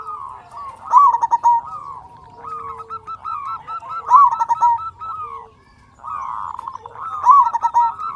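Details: Loud, persistently singing local zebra dove from Indonesia, played to lure other doves into song. Phrases of rapid stuttered coos near one pitch end in a brighter rising-falling note, repeating about every three seconds, with a faint low rumble underneath.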